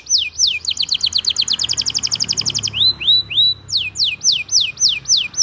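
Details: Vigorous canary song played as a tutor for young canaries and a lure to restart silent singers. Looping downswept whistles open it, then a fast bright trill runs, then upswept notes, then more ringing downswept whistles in steady rhythm.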